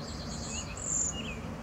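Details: Cedar waxwings give very high, thin, slightly wavering whistled calls, one long note standing out near the middle, with a few lower chirps and a constant low background hum.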